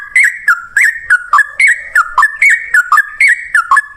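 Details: Lure song of a sooty-headed bulbul in the 'ropel ngalas' style, meant to draw answers: steady series of short liquid whistles, each sliding down and back up, repeated briskly and evenly.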